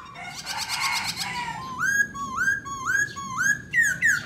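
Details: Black laughingthrush singing as it dances. A noisy, scratchy passage gives way to a series of five upward-curving whistled notes repeated about every half second, then a final downslurred whistle.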